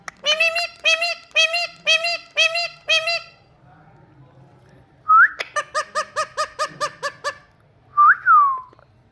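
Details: Talking Indian ringneck parakeet calling: five harsh, nasal notes in steady succession, a quiet gap, a rising whistle leading into a fast run of clipped repeated notes, then a final whistled rise and fall.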